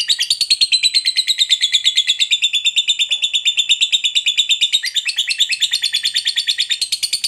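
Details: Fighter lovebird in full ngekek, a long unbroken chattering trill meant to rile rival lovebirds, made of fast evenly pulsed high notes, roughly three a second, with a shriller wavering band above.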